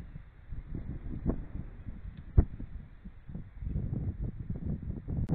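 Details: Low rumbling, wind-like handling noise with a few soft knocks and clicks, and no animal call.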